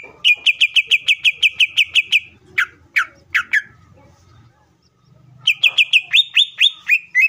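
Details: Greater green leafbird singing intensely to spur other leafbirds into song; a rapid string of about fifteen identical sharp notes, a few downslurred whistles, a pause, then another fast note series ending in twisting phrases.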